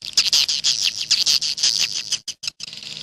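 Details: Edible-nest swiftlet, 'jaguar' style: a fast string of high, piercing chirps that ends in a few clipped notes separated by silences.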